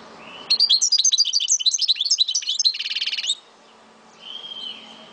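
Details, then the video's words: Caged Algerian goldfinch from Souk Ahras, Algeria, delivers a rapid jumble of bright twittering notes ending in a dry buzzy trill, then a soft drawn-out whistle, over low background hiss. "Chant de Mon Chardonneret De Souk Ahrass"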